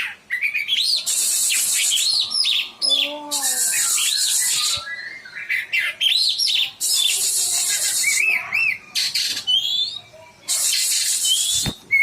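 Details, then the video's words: Oriental magpie-robin song meant to stimulate reluctant birds to sing: a long varied sequence of looping whistled phrases and chattering notes, repeatedly interrupted by loud buzzy rasps lasting about a second each. "PANCINGAN KACER MALAS BUNYI"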